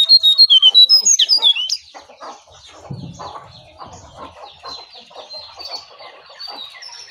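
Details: Sooty-headed bulbul in a face-off between a wild bird and a caged one. A fast run of about ten bright whistled notes comes in under two seconds, followed by softer scattered chirps and chattering.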